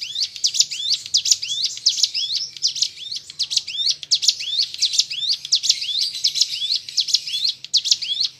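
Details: Continuous hill prinia song used as a training track for pet birds: an unbroken, energetic stream of high, sharp rising chirps and scratchy trills repeating without pause, with a quiet low hum in the background.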